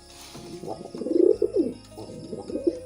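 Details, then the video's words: Pigeon in mating display: one deep, bubbling coo rising and falling, followed by softer trailing coo notes, with a steady low background hum. "Pigeon Sound Effect || Pigeon Mating"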